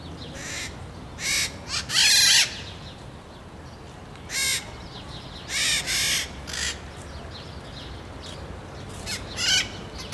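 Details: Red-shouldered macaws calling at Araguari, Minas Gerais, Brazil, fields and cerrado: loud, grating squawks in short bursts, some doubled, repeated irregularly through ten seconds, with a faint low background hum.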